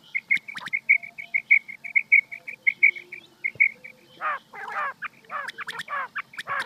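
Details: Rain quail call played at night as a hunting lure: a fast run of short, high, clipped pips at a steady pitch for about four seconds. Harsher, buzzy, sweeping chirps follow and repeat in bursts.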